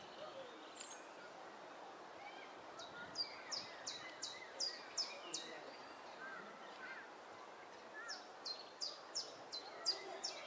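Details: Three Egyptian goose goslings with only their mother, recorded 17 June 2012: thin, high down-slurred peeps in quick runs of six or so, separated by a pause, over constant outdoor noise.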